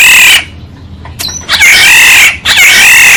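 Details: Decoy recording of a black-naped oriole: three loud, grating, nasal screeches, the middle one preceded by a short thin note and a click.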